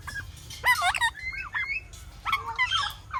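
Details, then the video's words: Parrot chirping in short bursts of twisting, slurred whistles and scratchy squeaks, with brief pauses between the phrases. "Natural Parrot Sounds | Parrot Chirping Sounds"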